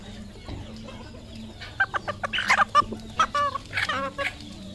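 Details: Red junglefowl, a village-kept decoy bird, calling: a quick run of short, harmonic clucks, several notes every second for about two and a half seconds, over a steady low hum.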